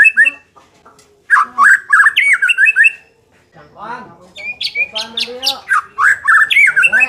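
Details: White-rumped shama song for making a less aggressive bird more competitive: loud bursts of sliding whistles and clicks separated by short silences and a lower rasping passage.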